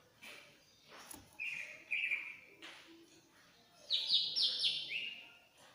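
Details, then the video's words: Greater green leafbird from Banyuwangi in agitated, shrill song meant to prompt a silent bird: steady whistled notes, then a louder harsh falling phrase, with background hiss. "CUCAK IJO Banyuwangi Ngentrok Lengking, Ngamuk, Pancing Si bisu Bunyi"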